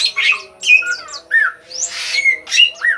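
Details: Sooty-headed bulbul in lively song, used as a lure to draw other birds. Loud, varied short phrases of whistled slurs and chattering notes come in bursts about every half second over a steady low hum.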